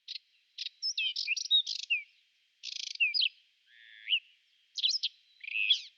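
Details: Spring song of a Whinchat, April 2020: a six-second run of scratchy notes, rapid buzzy trills and thin descending whistles, with a lower rasping phrase near four seconds.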